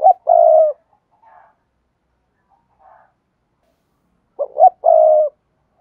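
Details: Thúc gù coo of a spotted dove, used for training newly caught doves: a long rolling note opens the clip, followed by a quiet pause with faint soft notes, then a quick double note and another long, low, purring coo.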